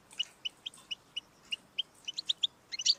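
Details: Goldfinch recording meant to stimulate a pet goldfinch: spaced single chirps roughly every quarter second, slightly faint over background hiss, quickening into a twittering cluster at the end.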